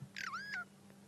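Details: Burchell's starling calling noisily at sunrise, 28 May 2016, Sabi Sand, South Africa, while foraging on the ground for grass seeds: one slurred, nasal whistle that dips and then levels off.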